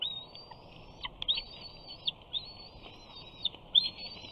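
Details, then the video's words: Bald eagle chick at Big Bear, June 2019, screeing for fish while its mother feeds and its father perches nearby; a series of piercing, sustained high whistles broken by quick clicking notes, louder and closer. "Big Bear Eagles~ Shadow Flies In, Simba Screes!"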